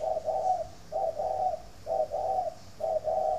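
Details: Spotted dove from a dove-keeping garden in Ba Vì, Hanoi, northern Vietnam, cooing in the morning: three soft, low, hollow phrases, each a short note and then a longer double coo, about a second apart.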